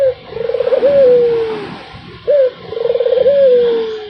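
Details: Puter dove giving its tireless, melodious coo: a brief upturned note, a rapid rolling burr, and a smooth drawn-out tone sliding downward, heard twice.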